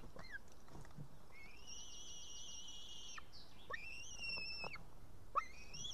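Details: On 8 June 2018, a white-tailed eaglet at a nest in Estonia calls to be fed. Unable to cut up a fish, she gives long, thin, slightly quavering whistles, then a rising whistle, over a low rumbling background hiss.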